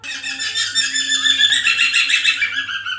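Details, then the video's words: White-crested laughingthrush, a lure recording played so a captive bird will join in singing: loud, harsh, rapid cackling chatter fills all three seconds without pause, rising and falling in bursts. "pancingan Poksay mantel agar bunyi"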